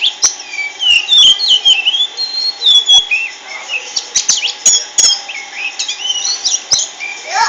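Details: Oriental magpie-robin in energetic song, varied whistles sliding up and down mixed with harsh squawks and quick chirps, phrases tumbling one after another with short pauses between bursts.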